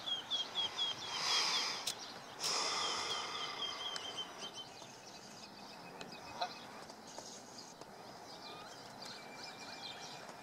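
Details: Canada goose goslings about 4 hours old at Jess Ranch Lakes Park, Apple Valley, California, give thin, high, falling peeps in quick runs, then fainter scattered chirps, over rushing wind and handling noise.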